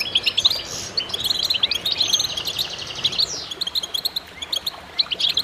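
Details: Group of goldfinches singing as a chorus: lively, tinkling high-pitched twittering with buzzy trilled runs and one clear descending slur midway, many voices overlapping continuously.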